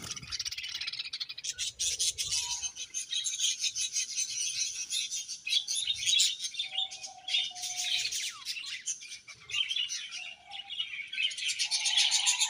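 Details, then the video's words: Several budgerigars chatter continuously in a high, buzzy, warbling stream with rapid clicks and squeaks, broken by a few short, plain, lower whistles. "Beautiful Budgies Chirping Sounds"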